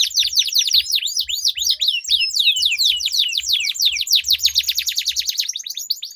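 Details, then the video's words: Canaries dueling in sweet, long rolling song, used as a lure for silent canaries: six seconds of continuous rapid swooping whistles, several per second, merging into a fast even roll, with faint low bumps. "Duel Burung Kenari Suara Merdu Ngerol Panjang || Pancingan Ampuh Kenari Macet Gacor Ngerol Panjang"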